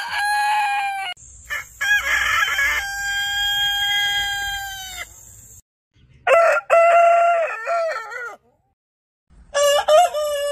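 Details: Compilation of heritage-breed roosters crowing: a long, rich, harmonic crow held for several seconds over low rumbling noise, then, after a pause, a clipped multi-syllable crow and the start of another.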